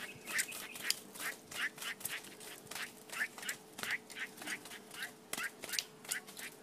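Mongolian lark giving harsh, scratchy notes in a quick run, about two or three a second, over a faint steady hum.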